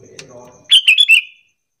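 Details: Sooty-headed bulbul giving a lure call to draw answers from other bulbuls: one bright, rapid phrase of three or four chirped notes after a short stretch of low background murmur.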